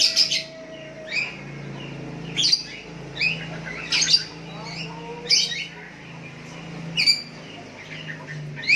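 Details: Several sooty-headed bulbuls answer a bird calling to a decoy rival: quick overlapping chirps and slurred whistles, with sharp clicks, repeat through the recording over a steady low electrical hum.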